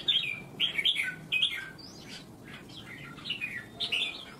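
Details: Red-whiskered bulbul, a competition singing bird in Vietnam, sings short, bright, liquid whistled phrases that drop in pitch, in quick bursts about every half second with brief pauses between.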